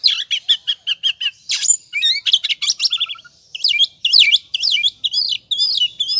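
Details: Ngobra song of an oriental magpie-robin, meant as a lure to trigger singing: a fast series of sharp repeated notes, a harsh rasp, then fluid whistled slurs and scratchy trills with a brief pause.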